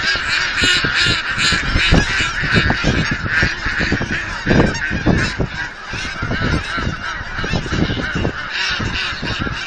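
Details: A huge flock of geese being fed at a Hereford, Texas aquatic center raises a constant wall of nasal honking, individual calls bursting out of the steady din every fraction of a second.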